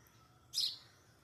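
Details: A sparrow gives a single brief, bright, high-pitched chirp, over in a fraction of a second, under a clearing sky, against quiet background hiss.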